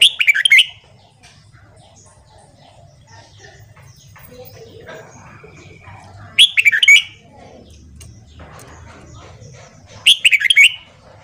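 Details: Red-whiskered bulbul giving its morning song for training other bulbuls: three brief, bright warbled phrases spaced several seconds apart, quiet low hum between them.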